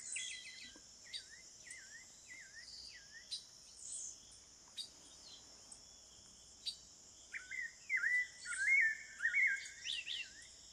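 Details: Amazon rainforest at Serra do Navio, Amapá, Brazil, where a wild spectacled thrush gives quiet wavering whistled notes, pauses, then bursts into a brighter, tumbling warbled phrase, all over a continuous high insect buzz and clicks.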